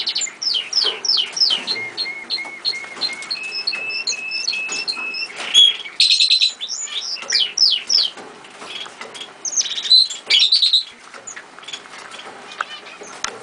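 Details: A pet chaffinch kept for three years gives a busy run of high chirps and downslurred notes, broken by short series of steady, even whistles and bright twittering phrases.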